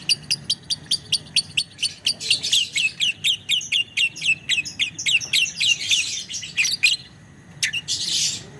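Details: Lovebird of the biola variety giving a long chattering ngekek song. A rapid train of sharp, evenly spaced chirps runs for several seconds and then blurs into a harsh rattle, over a low steady hum.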